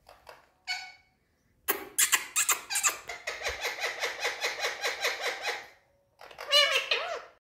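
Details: Talking Indian parrots indoors: a few short harsh calls, then a long steady run of rasping, evenly paced squawks lasting about four seconds, ending in a burst of nasal, wavering notes.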